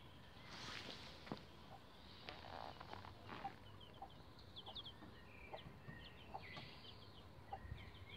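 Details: Bantam Rhode Island Red chicks about 11 days old on a chicken ladder, giving scattered thin high peeps, some sweeping downward, among soft rustling and knocking sounds.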